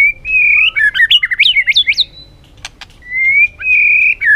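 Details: White-rumped shama song in many forest-style voices: a level whistle followed by fast jumping, zigzag notes, a pause with two sharp clicks, then another long level whistle ending in a downslur.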